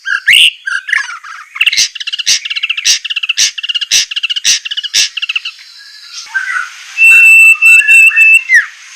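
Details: White-rumped shama song in a sharp training style: a long rapid rattling trill of evenly spaced notes for about five seconds, then softer warbles and a sudden loud high buzzy stuttering burst.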